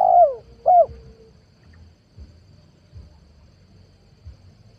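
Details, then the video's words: Spotted dove lure call for trapping wild doves: two low, hooting coos, each sliding downward and a short beat apart, then near silence with faint soft thumps. "PANGGILAN TUKUKUR PIKAT 2022 COCOK BUAT PANCINGAN TEKUKUR LIAR"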